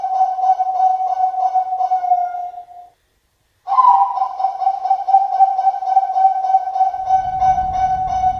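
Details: Kept local zebra dove giving its long coo, the style called kung panjang; a low purring trilled tone, steady and rapidly pulsed, broken by a short silence near three seconds, then resuming with faint low rumbling at the end.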